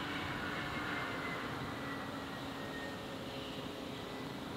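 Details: An aircraft engine drones steadily with humming tonal whines, and no animal voices are heard.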